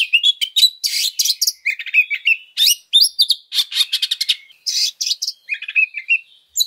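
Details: Lure recording of an oriental magpie-robin in fighting mode with coarse fill-ins: dense, loud stream of grating trills, buzzy rattles and quick whistled notes, varied and high-pitched, barely pausing throughout.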